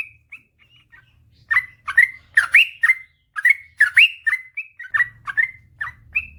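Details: Master recording of a singing yellow-vented bulbul (trucukan), 'ropel panjang' style: a few soft notes, then a steady run of rich, bubbling whistled phrases, each a short upslurred chirp, with a low hum behind.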